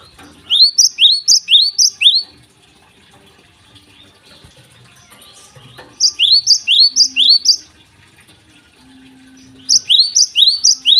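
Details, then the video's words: Repeated runs of bright, upward-slurred high chips from a Java sparrow in morning song, each run of about six notes, with several seconds of quiet between bursts. "gelatik gacor di pagi hari"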